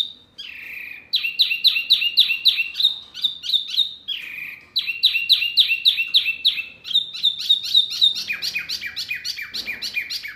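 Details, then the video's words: Mini wambi bird, loud and provoking to other birds, delivers rapid bursts of sharp, high chirps in quick succession, broken by brief pauses, ending with a faster run of lower slurred notes. "SUARA BURUNG WAMBI MINI RIBUT SEKALI,BIKIN EMOSI BURUNG LAIN!"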